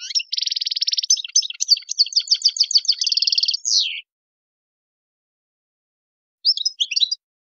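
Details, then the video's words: European goldfinch wild-style song. It opens with a long, harsh, buzzy trill, moves into quick descending chirps, then another buzzing trill and a downward slur. After a silence comes a brief twittered phrase. "chant chardonneret sauvage"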